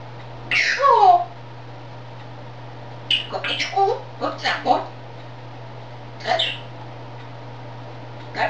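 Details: Grey parrot talking in Czech indoors: a few brief, thin speech-like phrases with sharp falling sweeps, separated by quiet pauses, plus short bursts of word-like chatter.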